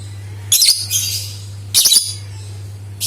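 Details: Lovebird calls intended to trigger singing in other lovebirds: two rapid, rattling high-pitched chatter bursts with stuttering notes, then the start of a third, over a background hum.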